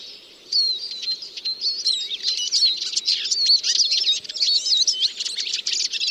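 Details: Eurasian siskin (Spinus spinus), a small finch, singing: a fast, dense twittering of chirps and slurred whistles, starting after a brief quiet half second and running without a break.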